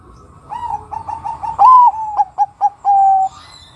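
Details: Bangkok-type zebra dove singing as a lure for other doves: soft quick cooing notes build into a loud rising coo, three or four clipped staccato notes, then a long level closing coo.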